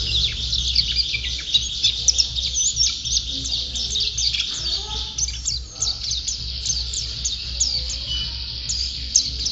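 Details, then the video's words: A champion white-eye (pleci) pours out a steady stream of very high, quick chirps and downslurred notes, with a faint low rumble underneath throughout. "Burung Pleci Juara Gacor"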